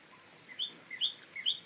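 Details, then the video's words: Tailorbird calling in short bursts: three paired notes, each a brief lower chirp jumping to a higher sharp note, separated by brief pauses against a quiet background. "tailor bird tweet"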